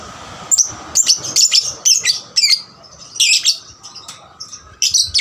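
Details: Young lovebird singing busily to stimulate other lovebirds: a series of piercing, high chirps and trills in quick succession, broken by short pauses, with thin whistled notes near the end.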